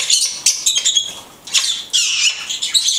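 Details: A blue-headed conure utters a string of shrill, rasping high squawks, some drawn out and others short, following each other almost without pause.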